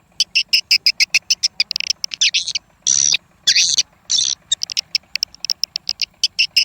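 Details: Swiftlet calls, an original recording imported from Malaysia and played as a sound test for a swiftlet house: rapid bursts of high, buzzy chirps repeated several times a second, with a few longer harsh rasping notes near the middle.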